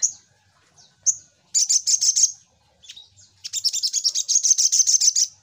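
Crimson Sunbird giving very high, thin chips, then two bursts of fast, sizzling twittering trills, the second longer and more continuous. No other sounds.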